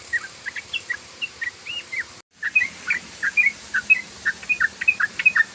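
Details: Ropel-style song of a yellow-vented bulbul, played as a lure: bright, clipped chirps rising and falling, delivered in a fast steady stream, briefly broken by a moment of silence, then resuming at the same pace.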